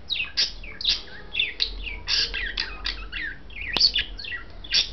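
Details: Caged pair of budgerigars, white male with blue female, vocalizing during mating: quick bursts of high chirps and twittering notes tumbling over each other, near-continuous and bright, one sharp click partway through.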